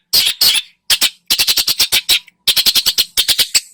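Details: Loud grating squawks from a singing long-tailed shrike, used as a lure recording. Rapid bursts of four to six harsh notes are split by brief pauses.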